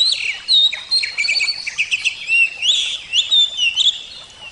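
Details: Oriental magpie-robin of the Javan form singing nonstop: a varied mix of loud whistled notes, bouncing slurs and short buzzy chirps delivered in quick phrases.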